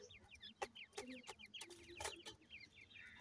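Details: Francolin (teetar) chicks of a new season: many thin, high, downslurred peeps overlap in quick succession, broken by sharp knocking clicks and a few soft low clucks.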